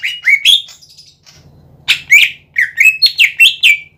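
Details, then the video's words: Greater green leafbird belting out bright, slurred whistles, some rising and some falling, in quick runs broken by a short gap with faint low hum; sung to spur other leafbirds to answer. "PANCINGAN CUCAK IJO GACOR"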